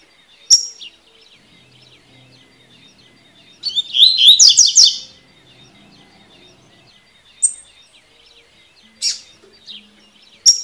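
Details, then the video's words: Double-collared seedeater in tui tui song style, played to train birds. A fast jumbled phrase of bright, slurred high notes lasts about a second and a half, framed by scattered sharp chips and soft background twittering. "CANTO DO COLEIRO TUI TUI PARA TREINAR E ABRIR CANTO"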